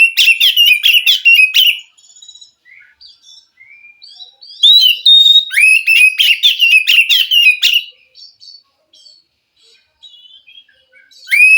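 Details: Oriental magpie-robin from the wild forest, whose song can set off a caged bird that has stopped singing. Rapid strings of bright whistled and chirping notes in two long bursts, separated by quiet scattered twitters.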